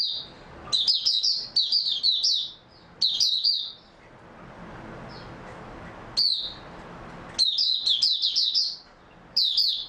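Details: Oriental white-eye recorded on 3 March 2022, well rested after sleeping, repeats lively bursts of thin, high chattering notes, several short phrases in quick succession, then a two-second gap before more.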